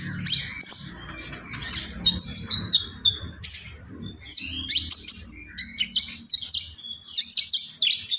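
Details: Common iora pouring out a busy, high-pitched stream of sharp chirps, twitters and short whistles, delivered in rapid clusters with brief breaks, faint low rumbling underneath.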